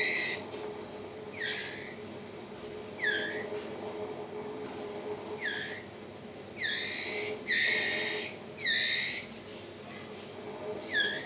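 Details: White-rumped shama chick, 20 days old, captive-bred, begging while being hand-fed. Harsh, raspy calls with layered overtones come in short bursts roughly every second or two, several longer and louder near the end, over a steady low hum.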